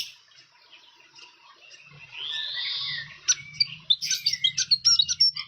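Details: Fantail near its nest in the wild: a rising, swelling whistled sweep, then a rapid series of sharp high ticking chirps, several per second.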